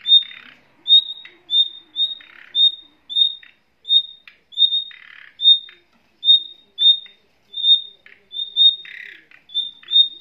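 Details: Male and female nightingale kept in a cage with their young give a steady run of about sixteen short pure whistles over ten seconds, mixed with several lower harsh, scratchy squawks.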